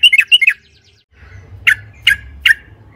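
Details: A trucukan, yellow-vented bulbul, on a lure track: a quick cluster of four bright chirps, a pause, then three single sharp downslurred notes spaced about half a second apart.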